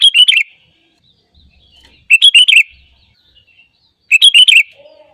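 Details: Sooty-headed bulbul song used as a lure so other birds start singing; three crisp, liquid whistled phrases, each of four or five quick notes, repeated every two seconds against a near-silent background.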